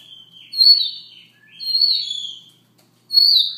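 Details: In the morning a Siberian rubythroat sings softly. Drawn-out, slurred high whistles form three phrases, the first two running together into wavering trailing notes and the last starting after a short silence.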